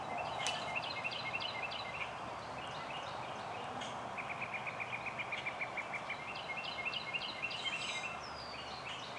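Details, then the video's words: A male Indigo Bunting by a woodland track at Cape May meadows, New Jersey, USA, sings high, sweet phrases of paired and repeated notes, with a quick even trill midway, over a steady background hiss. "Indigo Bunting"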